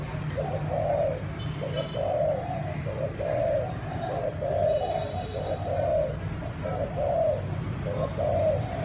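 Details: A captive zebra dove of a Malay line, kept for breeding and soon expected to have offspring, coos properly in a steady run of soft, rolling notes, with a low hum behind.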